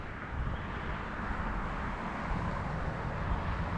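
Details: Continuous deep droning of motor or wind noise, and no animal calls come through.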